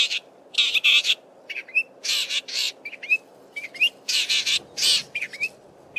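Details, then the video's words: Southern fiscal male in Belmont Valley, Eastern Cape, singing and mimicking other local birds; harsh buzzy bursts alternate with short upward-flicking whistles, delivered in a rapid, irregular sequence with brief pauses between phrases. "Southern Common Fiscal singing and mimicking many local birds"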